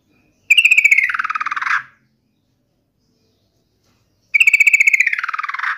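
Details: Yellow-vented bulbul's provoking song meant to make other bulbuls answer in anger: two long rattling trills, each starting bright and stuttered, then dropping and blurring toward the end, separated by silence.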